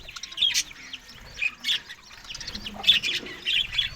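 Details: Budgerigars calling while eating green food in the morning: scattered short squawks and chirps at irregular intervals, some sharper and louder, others faint chatter, over quiet background.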